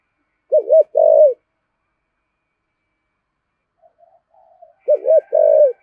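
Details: Two phrases from a decoy spotted dove cooing in 'giọng thổ' voice. Each is a short wobbling note then a drawn-out mellow coo. Faint low murmurs come between them.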